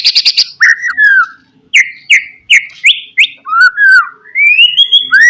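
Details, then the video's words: White-rumped shama, a 'pastol' type bird, singing a persistent lure song meant to provoke rivals. It opens with a quick burst of sharp notes, then loud clear whistled phrases, some rising and some falling, separated by short pauses. "SUARA BURUNG MURAI BATU, PANCINGAN MURAI BATU PASTOL NGOTOT MEMBANGKITKAN EMOSI LAWAN"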